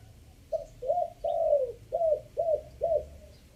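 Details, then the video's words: Spotted dove from Chiang Mai uttering its three-note decoy song: six low, throaty coos, the third longest and sliding down, the rest short and evenly spaced, with low background hum. "เสียงต่อนกเขาใหญ่ 3กุ๊ก ท่อน5"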